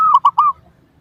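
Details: One phrase of zebra dove song, used to coax responses from other doves: three rapid, warbling coos, the last drawn out slightly longer, then quiet.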